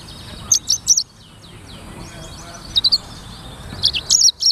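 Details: Black-throated canary, called sanger, giving scattered bursts of high, clipped chirps in small clusters of two to five notes. A soft background hiss runs between the bursts.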